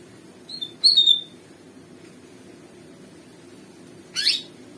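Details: Sumatran leafbird after bathing: a short burst of clear, high whistled notes, sliding slightly downward, then a brief rustling burst a few seconds later over low room hum.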